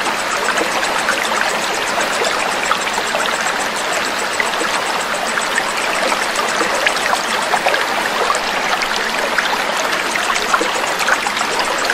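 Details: Steady rushing and trickling water like a small stream fills the whole stretch, with no animal voice standing out.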